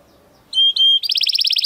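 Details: Training song of a Timbrado Español canary male from rated parents, born 2020: two bright steady whistles followed by a rapid rattling trill of repeated metallic notes.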